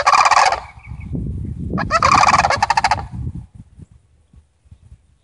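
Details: Family of sandhill cranes giving two loud, rolling, rattling bugles about two seconds apart, each under a second long, over a faint low rumble.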